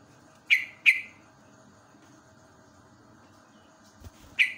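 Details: Yellow-vented bulbul in the morning, recorded as a natural training song to get caged bulbuls singing: sharp, bright downslurred chirps, two close together, then a long pause before another, over a faint steady hum.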